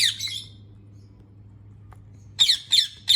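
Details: Rose-ringed parakeet: one harsh squawk, a quiet pause, then three rapid grating screeches close together, over a faint low hum.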